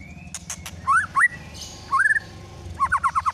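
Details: White-rumped shama song used as a lure to make another shama sing: rich rising whistled slurs in short phrases, ending in a quick run of repeated bouncing notes, with soft ticks and low hum behind.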